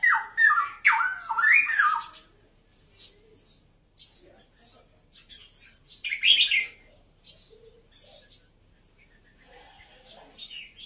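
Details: Red-whiskered bulbul (Pycnonotus jocosus), from Vietnam and Uttaradit, Thailand, giving loud, rich warbled phrases that rise and fall, bursts at the start and near six seconds, with softer chirps between.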